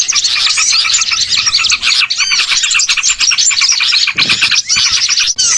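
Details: Many small birds chattering together in a bird-catching lure, a busy wall of sharp high tweets and rapid twitters, with a few brief dips where the clamour thins for a moment.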